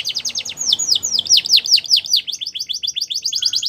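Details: Canary singing a champion training song: fast, even run of sharply falling whistled notes, some slower and broader midway, closing in a quick repeated trill.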